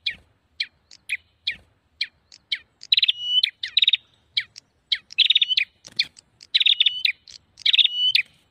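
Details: Lure sound of a prinia used to draw birds in: sharp isolated chirps early, then dense rattling trills with a steady high tone, repeated in bursts about every second, no other sounds.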